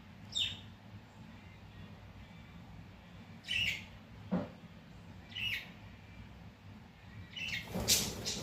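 A parakeet gives short, sharp, high chirps spaced a second or two apart, with one low knock and a faint steady hum behind.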